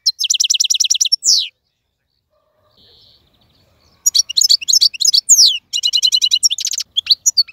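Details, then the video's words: Caged wild European goldfinch singing a clean song: quick trills of bright tinkling notes, a downward slurred whistle, a pause, then a long tumbling run of twittering, buzzy and liquid phrases. "مقنين خلوي يغرد بصوته النظيف, تغريد حسون بري دون توقف"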